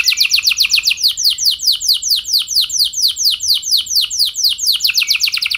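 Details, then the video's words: Domestic canary in continuous song, recorded as a lure to stir other canaries into long rolls: a steady run of sharp downslurred notes repeated about three per second throughout. "Pancingan Burung Kenari Ampuh Bikin Kenari Lain Auto Gacor Ngeroll Panjang | Canary Singing"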